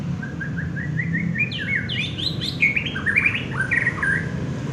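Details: Champion contest white-rumped shama singing a quick series of rising whistled notes that climbs into a loud tumble of ringing, slurred phrases, over a steady low rumble of background noise.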